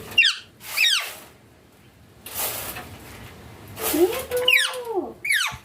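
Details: Indian green ringneck parrot with its owner, giving short, piercing screeches that slide steeply downward, two at the start and two near the end, separated by a hissing pause and a drawn-out voiced sound.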